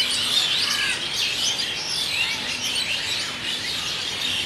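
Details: A big flock of Asian Pied Starlings coming in to roost at Kolkata, India, in the evening, filmed with a Nikon D3200; a dense chorus of twittering, chirping and squealing whistles, loudest at the start.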